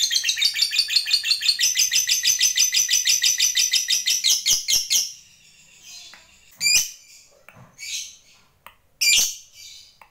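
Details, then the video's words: Fighter lovebird: about five seconds of fast, shrill pulsed trill, the ngekek used to provoke other lovebirds, that stops abruptly and is followed by a few scattered sharp chirps and squeaks. "Suara Lovebird GACOR ini, DENGAN CEPAT Mampu Memancing Labet Agar NGEKEK PANJANG"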